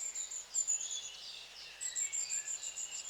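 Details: High, thin see-see calls of long-tailed tits come in two bursts separated by a brief lull, with soft lower twittering notes beneath.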